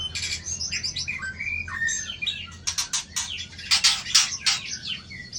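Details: White-rumped shama, tail rated 24, flicking its tail to intimidate a rival. Short whistled phrases give way to dense harsh chattering bursts, roughly three per second, over a low background hum.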